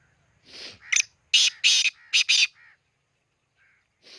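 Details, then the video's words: Khushab black francolin call: a soft lead-in note, then a rapid run of loud, coarse, rasping bursts, ending with quieter softer notes. "kala teeter ki awaz"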